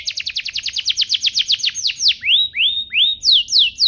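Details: Canary song used to prompt other canaries into full singing: a fast run of steep descending notes about four per second, then slower sweeping upslurred whistles near the end.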